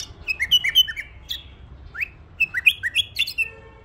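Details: Tame pet bulbul singing clear whistled phrases, each note sliding down or up through a mid-high range, in quick bursts of four to five notes with a short pause between bursts; a faint low hum underneath.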